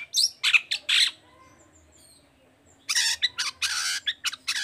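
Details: Long-tailed shrike singing to rouse other shrikes: a few loud scratchy notes, a quiet gap of almost two seconds, then harsh, rasping squawks and chirps in a dense burst.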